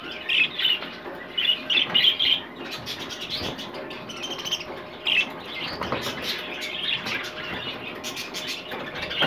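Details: Rainbow clearwing budgerigar chatter: bursts of high, scratchy chirps and squawks come in quick, uneven runs, with soft rustling and flutter between them.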